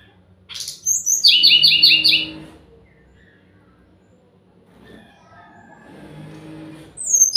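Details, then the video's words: Sumatran laughingthrush song played as a lure to draw an answer: a rapid run of about six bright, repeated chirping notes, then quiet, then softer rustling chatter and a final sharp high note. "pancingan SRDC yang gak mau bunyi pasti nyahut"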